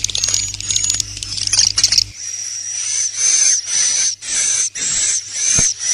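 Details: Swiftlet lure call of the "inap plus" style, used to draw birds to roost; first two seconds a busy jumble of high chirps over a low hum, then steady hissing high bursts, each about half a second, repeated with short gaps.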